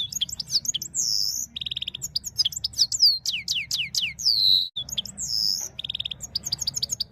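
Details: Red-fronted serin, a Himalayan bird, singing Saira goldfinch song: high descending slurs alternate with buzzy trills and sharp chips in quick succession, with a faint low drone underneath.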